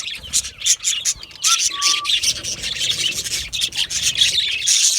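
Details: Budgerigar chirping: dense raspy, scratchy chatter with a brief flat whistled note in the middle, continuing steadily throughout.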